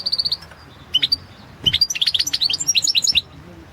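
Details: Competition song of a European goldfinch, 2016 world championship entry: a quick opening trill, then a long rapid sequence of tinkling, liquid twitters and high chips running nearly two seconds, over faint low rumble.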